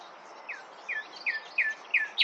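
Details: Common nightingale song: a series of short descending whistled notes repeated about every third of a second, growing louder toward the end.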